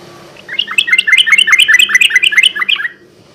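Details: Sooty-headed bulbul song used as a night-time lure: a rapid run of about a dozen bright chirpy notes, roughly two to three per second, in a rhythmic bubbling phrase with a faint low hum behind.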